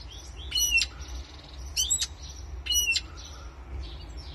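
A goldfinch-canary hybrid sings three short, high bursts of bright, ringing twitter about a second apart, with a low hum underneath.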